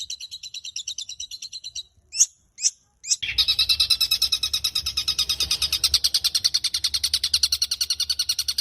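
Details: Caged long-tailed shrike in full, varied song, used for training other caged birds: a rapid series of high buzzy notes, three sharp upswept calls, then a dense, fast, continuous chattering trill of high pulsed notes.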